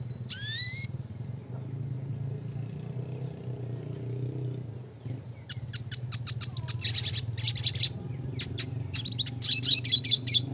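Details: Red siskin (Spinus cucullatus), classic type, sings as a training recording: a brief rising whistle, then fast, buzzy twittering chips and trills over a steady low rumble.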